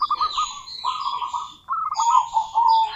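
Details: Female local zebra dove calling a rival: two short bursts of soft, quavering coos, then a smoother, drawn-out cooing run. High falling chirps overlap throughout, with faint low background noise.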